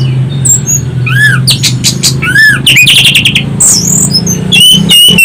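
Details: Orange-headed thrush song used as a lure for other birds, loud and shrill: arching whistles, rapid buzzy trills and high sweeping notes, with a constant low hum underneath.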